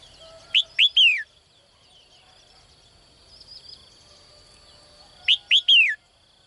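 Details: Female bird calling from a cage each morning to lure a strong male, giving two quick upslurred chirps and a longer downslurred whistle, repeated after a pause of about four seconds, steady faint high hum behind.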